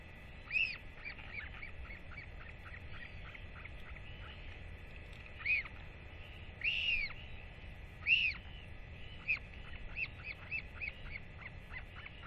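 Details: Northern royal albatross chick at feeding time with a parent present; sharp, clipped calls are scattered irregularly, with a few louder arched whistles and runs of short rapid notes among quieter pauses.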